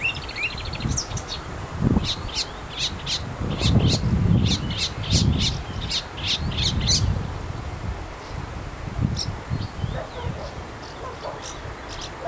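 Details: Singing marsh warbler recorded in Ronald Reagan Park, Gdańsk Przymorze: a fast run of sharp, high chattering notes, several per second, for about seven seconds, then scattered notes, over heavy low rumbling background noise.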